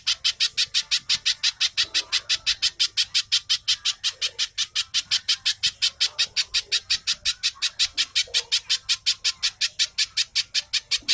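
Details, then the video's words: Extended 'gacor speed rapat' song of a little spiderhunter, known locally as pijantung, played to make captive birds sing: an unbroken, metronomic run of sharp high notes, about three each second. "Burung pijantung/Cici codot gacor speed rapat suara mirip TENKE BUTO"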